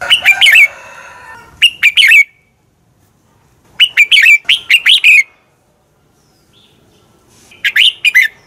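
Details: Fighting song of a red-whiskered bulbul, used as a lure for training birds to sing: four phrases of rapid, clear warbled notes, the longest with about seven notes, spaced by roughly two-second pauses; faint tonal hum at the start.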